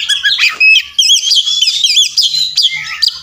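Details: Oriental magpie-robin singing aggressively in fighting mood, a tutoring song full of mimicry. Clear whistles and repeated wavy warbling notes run in quick succession over a faint low hum.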